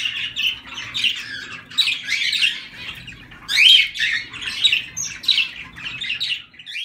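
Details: Zebra finches calling: a dense chatter of short, nasal, squeaky honks from several birds, overlapping and coming in bursts across the whole stretch with barely a pause, with a louder squeak near the middle.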